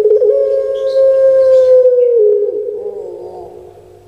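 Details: Captive puter pelung collared dove kept in Indonesia gives one long, loud, steady mid-pitched coo held for about two seconds, then it slides down and fades into a rougher, lower trailing tone.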